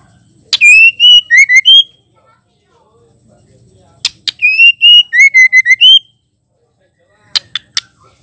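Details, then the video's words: Female white-rumped shama singing to stimulate and provoke males: two bursts of loud, clear whistled phrases with rising and falling slides, about six notes each, separated by sharp clicks and a short silence. "Murai batu betina gacor ampuh bikin jantan emosi"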